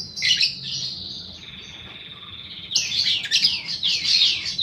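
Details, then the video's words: Lure recording of a fighter paud balibu lovebird: shrill chatter leading into a long steady buzzing trill, then rapid repeated downward-sweeping chirps, about three per second. "pancingan burung lovebird paud balibu fighter mp3"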